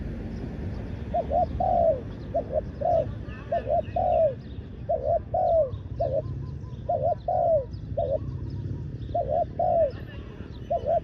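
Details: Spotted dove kept as a decoy on the ground to attract wild doves, cooing steadily: paired short notes then a longer descending note, phrase after phrase for about ten seconds, with faint twittering of other birds above.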